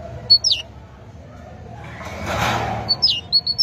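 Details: Great tit song: brief high whistled notes, each sliding sharply downward, given in quick pairs near the start and again in a faster run at the end. A broad rushing noise swells in the middle.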